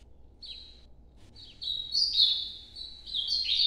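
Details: Ultramarine grosbeak from northeastern Brazil singing its nocturnal-style song: short high whistled phrases with slurred notes, sparse at first then louder and denser toward the end, over faint low background hum.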